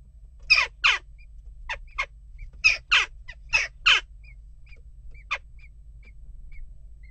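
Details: Unrest at a nest box: western jackdaws utter a run of harsh, clipped calls, often doubled, for about four seconds, then one more, while soft, high whistled peeps repeat steadily in the background.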